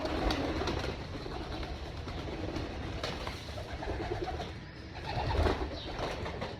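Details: Rooftop farm pigeons waiting for their breakfast feed, a crowd of soft, low, rolling coos overlapping one another, with occasional sharp flaps and knocks as the flock shifts about.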